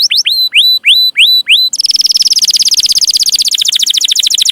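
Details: Canary song used as a training recording for young canaries: loud upslurred whistles repeated about four times a second, then a long fast buzzy trill of rapid repeated notes.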